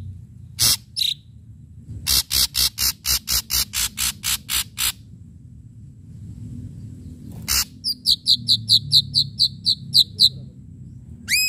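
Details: Ashy drongo in vigorous song with sharp strikes: lone harsh notes, a rapid series of about twelve rasping notes, then around twelve quick high whistles, ending with a rising swept phrase.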